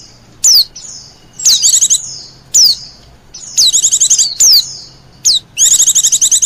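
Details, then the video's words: Wild Oriental white-eye lure call: high thin descending whistles alternating with rapid bursts of buzzy trilled notes, phrases spaced by short pauses. "suara pikat burung pleci liar paling ampuh sejagad raya"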